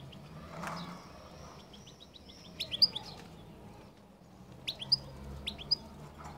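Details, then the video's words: European goldfinch singing its distinctive qall-style song: two short bursts of bright, high chirps with quick downward-sweeping notes, separated by about two seconds of quiet with faint low background hum. "تغريد حسون القل المميز"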